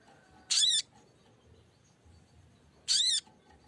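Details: Lesser green leafbird, green-phase form, used as a lure to provoke singing and calling a rival: two loud, harsh, buzzy notes, each about a third of a second with stacked arching overtones, roughly two and a half seconds apart.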